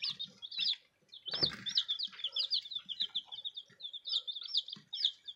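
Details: A group of newly arrived baby chicks peeping: a dense, overlapping stream of short, high, bright cheeps, several per second, with a few soft low thumps and rustles beneath.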